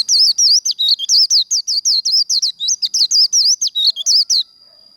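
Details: Continuous líu contest song of a Japanese white-eye for kích lửa training: about twenty quick, high, wavering chirped notes in an unbroken run of over four seconds, loud and close against a quiet background.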